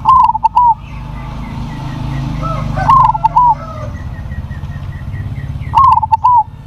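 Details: Crossbred zebra dove with a big, loud voice: three short coo phrases at about three-second gaps, each a quick stuttering run of mid-pitched notes ending in a drawn-out coo, over low rumbling background noise and faint thin tones.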